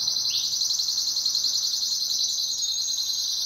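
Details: Pet canary duet: after a brief rising slur, a loud continuous high rolling trill with a faint second voice of rapid ticking notes higher up.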